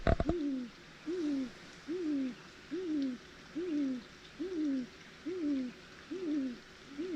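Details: Great grey owl (Strix nebulosa) giving territorial hoots close by in trees at night, 25 April, snowy woods: a long, evenly spaced series of deep, soft, slightly arched hoots under a second apart after brief handling noise; another owl answers.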